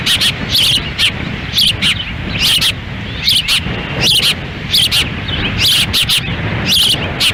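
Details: Ospreys at their nest in Lolo, Montana, June 10, 2017: the female feeds in strong wind as the male stands by. Loud, high chirping bursts repeat about once a second over heavy wind rumble.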